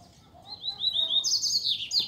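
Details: A wild Double-collared Seedeater, lured in the scrub and counter-singing with another male as a female arrives, sings a quick run of short, clear, slightly rising notes, then a louder, buzzy, descending warble over faint background noise.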